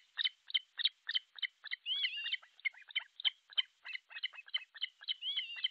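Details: Osprey at an artificial nest in Pohjois Satakunta, Finland, on 6 July 2023 around 12.31: rapid series of short, sharp whistled chirps, about three per second, with a few longer slurred, rising-falling whistles mixed in.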